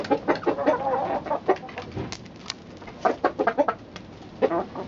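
A chicken clucks in short, irregular bursts, several quick low clucks, then a pause and another run, with some softer clucking in between.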